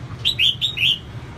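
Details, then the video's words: Female red-whiskered bulbul song used to stimulate males: four rapid liquid whistles forming a lilting phrase, loud and clear above faint low hum. "CHÀO MÀO MÁI SIÊNG HOT KÍCH TRỐNG CĂNG LỬA"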